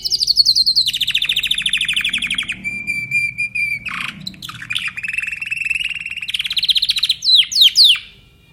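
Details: Timbrado canary song. A high trill slides into a lower rolling trill, then a level, pure sustained tone and a brief low chirp. A long steady rattle follows, closing with several loud downward-swooping notes.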